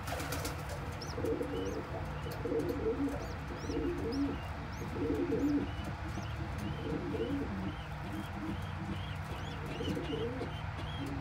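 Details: Pigeons kept by a family member, a parent regurgitating crop milk with food into a tiny squab's mouth; low, rolling warbled coos come in irregular bursts over a steady low hum, with faint high chirps scattered throughout.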